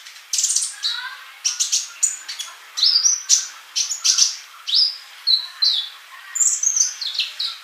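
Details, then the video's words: Sunbird (kolibri) singing steadily for bird-keeper training: quick bursts of shrill, high chirps and tinkling twitters, repeated about every half second, with occasional short clear whistled notes. "MASTERAN UNTUK BURUNG COLIBRI GACOR"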